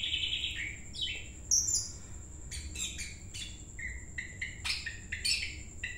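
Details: A caged greater green leafbird, being trained for song contests, sings a rapid, varied string of bright chirps, slurred whistles and buzzy notes, high-pitched and continuous, over faint low background hum.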